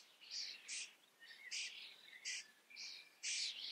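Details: Common starling in the Eifel, singing a string of short, loud, hissy and squeaky notes about every half second, mixed with thin whistles underneath.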